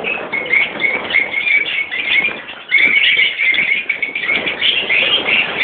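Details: Colony of rosy-faced and Fischer's lovebirds, mixed adults and juveniles, in a continuous squeaky chorus with sharp repeated chirps and a brief lull before it rises again.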